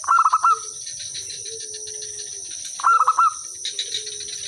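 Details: Zebra dove used as a decoy singer to draw replies from other birds; two quick stuttering coo phrases of rapid rolling notes, a fainter long low coo between them, insects buzzing steadily high above.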